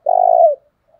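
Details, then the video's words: Wild dove decoy call for luring birds: a single smooth, vibrating coo of about half a second, steady in pitch and then dropping briefly as it ends. "Tiếng cu rừng gáy kích bổi hiệu quả"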